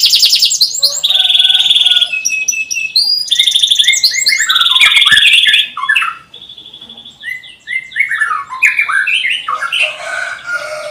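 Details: Canary song played to coax silent or young canaries into singing: loud continuous rolling trills and whistled notes, quick descending chirp series, a brief quieter gap, then more varied trilled phrases.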